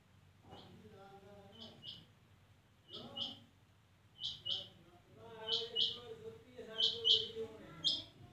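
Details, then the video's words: A female rain quail calls with high, metallic paired notes repeated about every second or so, while a man talks steadily underneath. "Rain Female Quail Sound , Chinga Madi ki kamall Awaz"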